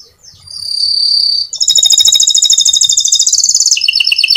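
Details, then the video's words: Canary in long, rolling 'ngerol' gacor song, meant to lure other canaries into singing. A high sustained whistle gives way to a loud, rapid, pulsing trill, which then drops to a slightly lower repeated trill. "Masteran Suara Burung Kenari Gacor Panjang cuit cuit Ngerol untuk Pancingan Kenari"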